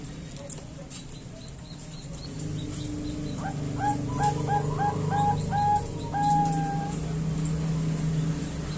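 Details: Zebra dove female of the Bangkok kind calling for a male: a rapid string of short cooing notes followed by one longer held note, with a low humming drone throughout.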